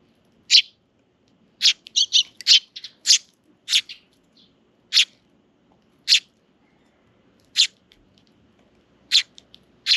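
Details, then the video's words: In a park in June, sparrow chicks beg from attending parent birds: a quick run of high, clipped chirps, some doubled or tripled in rapid bursts, then steadier single notes every second or so over a quiet background. "Sparrow chicks come to the park with their parent birds and are spoiled"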